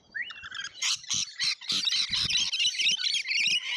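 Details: A continuous din of shrill, rasping screeches and chatter as lorikeets jostle at a feeder in Australia, with calls overlapping densely throughout.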